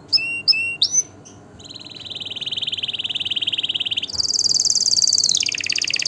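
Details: Canary singing a few short chirped notes, then a smooth steady trill of rapid pulses that suddenly leaps higher and louder, ending with a slight falling shift.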